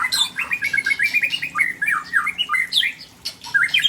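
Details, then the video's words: Rare fill-in song from a Tangse-origin white-rumped shama of Aceh: rapid chattering run of short slurred whistles, many notes each second, with brief high sweeps toward the end. "Murai Aceh SMBF Ori Tangse Sedang Bongkar Isian langka"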